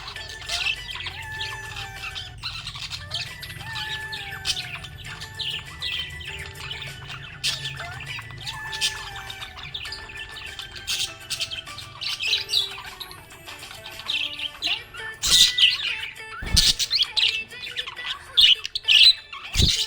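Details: A happy budgerigar keeps up busy, high chirps and squawks over a background of music.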